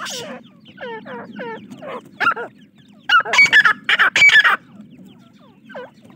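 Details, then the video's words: Young francolins (teetar chicks) give spaced, descending peeps, then several loud harsh bursts crowd the middle before single peeps return, all above a low hum. "teetar chicks voice"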